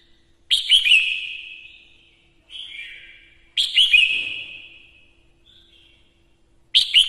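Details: Female red-whiskered bulbul kept as a lure bird, singing to excite males: bright whistled phrases opening with a sharp chirpy flourish, then a long sliding whistle. The phrases come about every three seconds.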